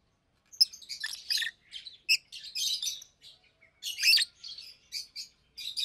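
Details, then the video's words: Busy daytime chatter from two caged adult Fischer's lovebirds, close to two years old: near-continuous high, squeaky twitters and sharp chirps, roughly forty bursts a minute at an uneven pace. "Lovebirds Chirping, Lovebirds Singing - Two Agapornis Fischeri"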